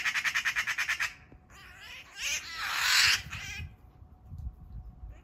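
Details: Eurasian magpie under attack by a Eurasian Sparrowhawk in a backyard, a second magpie later joining to drive the hawk off: a fast rattling chatter of harsh squawks for about a second, then rougher broad noisy calls.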